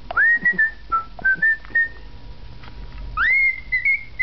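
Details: Male cockatiel kept as a pet, whistling his own versions of the Andy Griffith Show theme and a Schubert "Trout" Quintet tune: a run of pure, mid-high whistled notes, some swooping upward, forming a melodic phrase, then a longer rising whistle with wavering ends.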